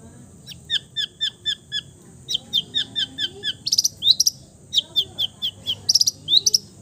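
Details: Long-tailed shrike, a cendet, in a full-repertoire mimicry song imitating many bird species: rows of short high chirps in steady series, then sharper rising notes and bright buzzy bursts; a constant faint high hiss in the background.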